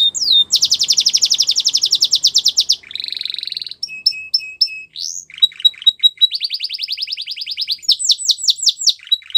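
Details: Belgian canary in song: a long rapid trill of about two and a half seconds, a buzzy stretch, clipped tonal notes, a second even trill, then sweeping whistled phrases.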